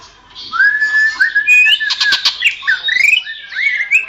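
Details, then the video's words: Greater green leafbird song intended for tutoring songbirds: a loud rising whistle, a brief steady pure tone, a burst of harsh noisy notes, then quick upslurred and twisting whistles in a rich, varied phrase. "masteran suara burung cucak ijo"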